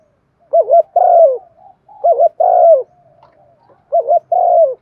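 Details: Thổ-voiced spotted dove calling to draw in wild doves: three evenly spaced coo phrases, each a fast wavering double note then a long, rich coo sliding slightly downward, with faint soft coos trailing between phrases.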